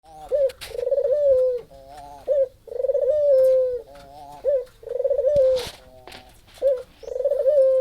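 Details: Spotted dove used as a lure bird, giving loud, repeated hoarse cooing phrases, each a short note followed by a longer wavering coo, about every one to two seconds, with a few faint clicks in the background.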